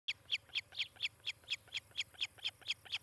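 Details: Osprey at a nest near Charlo, Montana, recorded by nest camera on 18 July 2018 in late morning: a steady series of short, high, sharp whistled chirps, about four per second, with faint low hum beneath.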